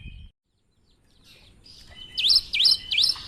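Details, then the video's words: Unusual song of a cinereous tit in full voice. After a short quiet start, three bright dipping whistles follow one another at a steady pace, each falling then rising sharply. "Gelatik batu gacor suara aneh"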